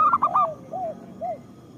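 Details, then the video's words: Local zebra dove song used to lure other zebra doves into singing: a brief burst of clipped cooing notes followed by two slower, soft arched coos at a lower pitch. "Perkutut lokal gacor Suara Pancingan Paling Disukai Burung Perkutut"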